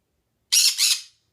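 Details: Pet green-cheeked conure indoors giving a harsh, raspy double squawk, two broad noisy bursts lasting about half a second, the second slightly softer and trailing off.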